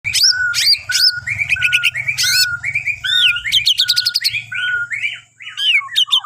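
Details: Bornean white-rumped shama singing in the morning, used to prompt other birds to sing: rich varied phrases of clear whistles, rising sweeps and rapid high trills, with a low steady hum beneath.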